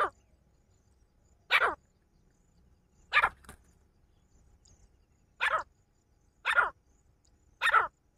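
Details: Male and female partridges giving loud, coarse, broadband calls, six harsh notes delivered at uneven intervals of about one to two seconds, some doubled.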